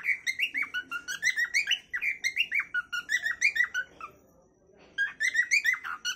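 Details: Cockatiel singing a natural calling song: quick runs of bright harmonic chirps and short whistled notes, about three a second, with a brief pause before the chatter resumes.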